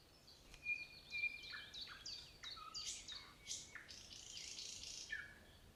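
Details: Fluid nightingale song mixing pure whistles with sharp, rapidly repeated notes and dense rattling trills, closing on a short falling phrase.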